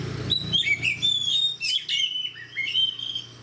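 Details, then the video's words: Short burst of oriental magpie-robin fighter song: clear sustained whistles, downward slurs and a brief harsh chatter, all high-pitched and ringing. "DENGAR SUARA KACER GACOR DAN FIGHTER"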